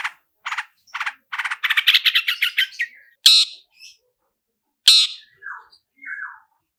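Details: Long-tailed shrike lure recording, roll speed and roll tembak, full fill-ins: a few harsh notes build into a quick rattling series, followed by sharp isolated calls and soft descending slurred notes.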